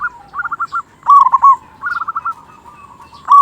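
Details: Singing local zebra dove used as a lure for silent birds: quick bursts of staccato trilled notes alternate with smoother rolling coos, steady mid-pitched and closely spaced.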